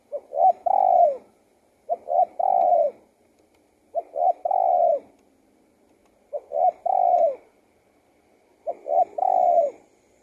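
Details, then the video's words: A spotted dove repeats its cooing song, each phrase made of quick short coos leading into a drawn-out, slightly falling note, five phrases spaced roughly two seconds apart with little else audible. "BIRD SINGING"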